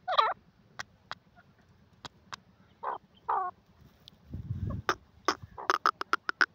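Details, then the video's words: Francolin (teetar) giving two or three brief warbled, looping call notes, with scattered sharp clicks, a burst of low rumbling noise midway and a rapid series of tapping clicks at the end. "teetar voice teetar ki boli"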